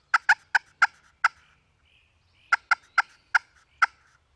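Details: An angry wild turkey hen attacking a strutting-gobbler decoy gives sharp, clipped clucks: five in quick succession, a brief pause, then six more at roughly third-second intervals.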